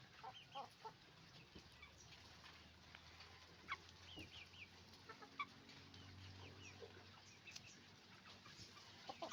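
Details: On a chicken farm, a flock of roosters and hens keeps up sparse, sharp clucks and brief squawks over a low steady machine-like hum.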